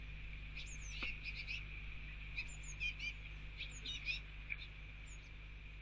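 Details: Young Eurasian blue tits begging from the adult male at a garden mealworm feeder during rain; busy sequence of sharp, high, slightly slurred chirps repeated every fraction of a second, over constant rainfall.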